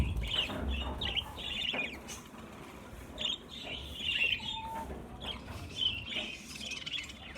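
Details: About fifty caged budgerigars moving to a bigger flight cage chatter with bright chirps, squawky notes and one brief steady whistle, calls overlapping in busy bursts amid wing flutters.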